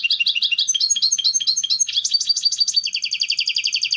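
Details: Goldfinch 'canto limpio' contest song for educating novice goldfinches: quick tinkling phrases of varied chirps that run into a long, even trill of rapidly repeated notes, with a faint low hum beneath.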